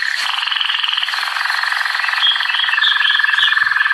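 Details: American singer canary in song, holding a fast, even, rattling trill with a bright ringing tone, then sliding into higher sweeter trilled notes near the end.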